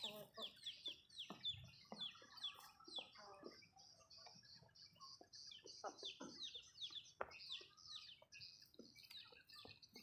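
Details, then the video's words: Backyard Malay chickens eating food: repeated high, falling peeping notes in irregular runs, with occasional soft clucks and pecking clicks. "Chicken malayo asmr nice but nonuse sound eating food"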